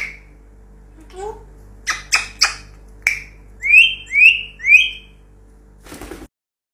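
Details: Pet African grey parrot indoors with short harsh squawks and a speech-like chatter, then three clear rising whistles in quick succession, ending with a brief rustling noise.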